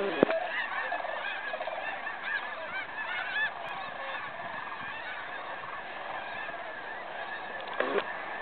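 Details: Sandhill cranes flying in to roost at Bosque del Apache National Wildlife Refuge during the 2011 Festival of Cranes; a dense, steady chorus of many overlapping rolling, trumpeting calls, with a few sharper nearer notes standing out.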